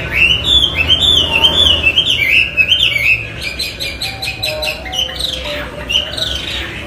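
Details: Chinese hwamei in full song: a bright, wavering whistled phrase rising and falling for three seconds, then fainter repeated slurred notes, with low background rumble.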